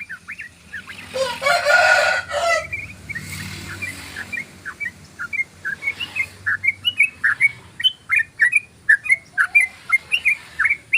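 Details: Yellow-vented bulbul singing in the long 'ropel' style used as a lure: a burst of rough noise opens, then steady strings of short, liquid, bubbly notes repeated about twice a second, growing louder toward the end.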